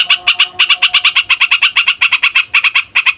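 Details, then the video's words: Yellow-vented bulbul in a long rolling song used to provoke songbirds: brisk chattering pulses repeated about seven times a second, harsh and evenly pitched throughout. "TRUCUKAN FIGHTER NGEROLL PANJANG BIKIN SEMUA JENIS BURUNG OCEHAN EMOSI"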